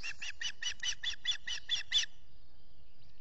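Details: Early-morning feeding of chicks at an osprey nest in New York's Finger Lakes, 14 June 2021, captured by a nest camera: a run of ten rapid, piping chirps at about five per second, then silence apart from faint background hum.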